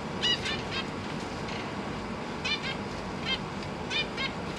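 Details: Caged zebra finch family, parents busy feeding three juveniles and three newborn young, GoPro Hero 8 recording: a run of clear, nasal, stacked-harmonic beeps in quick succession, some paired, over a constant hiss.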